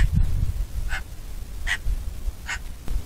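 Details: Three short, scratchy Eurasian magpie calls, evenly spaced about three-quarters of a second apart, against a steady background of wind rumble.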